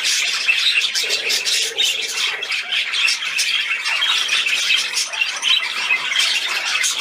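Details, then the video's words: Pet budgerigar playing, 13 December 2019, giving a dense, unbroken stream of shrill chirps, squawks and scratchy warbles, with small rises and dips in volume but no pauses. "Der Wellispielfilm"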